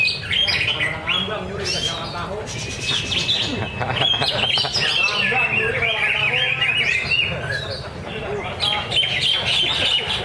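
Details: Greater green leafbird at a Thursday practice singing contest at Danau Bumi Restu, Cikunir, pouring out dense, fast, varied whistled phrases with sliding notes and a long steady whistle, over other contest birds and murmuring people.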